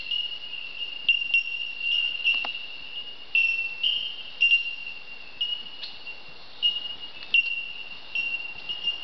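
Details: Bellbirds, Bell Miners, calling in an Australian forest: continuous ringing, bell-like tinkling notes on a steady high pitch, pings overlapping from several birds, with occasional soft clicks.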